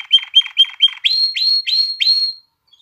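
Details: Canary song, used to stimulate females to mate and encourage chicks to sing: four quick paired notes, each a flat tone with a lower buzz, then four longer, brighter rising-to-level whistles, ending in a brief faint note.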